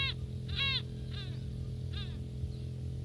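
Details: Gulls feeding at close range in Northern Kazakhstan give harsh, drawn-out calls with falling arcs, roughly four in three seconds, over a steady low mechanical hum.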